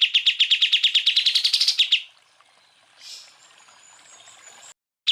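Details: Greater green leafbird (cucak ijo), recorded as a full-burst training song for other birds: a fast run of about fifteen loud, even chirps in two seconds, then a quiet gap with a soft high whistle and a faint rustle.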